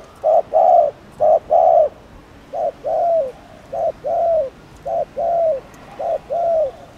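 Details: Spotted dove, a cock cooing to provoke and excite other doves: paired low cooing notes, a short coo then a longer slurred one, repeated in steady pairs about every second, with faint background hiss.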